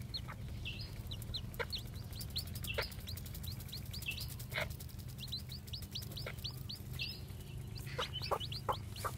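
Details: Newly hatched Japanese bantam chicks, white with black tails, walking around, keep up rapid high peeping mixed with clicking and tapping sounds over a low hum.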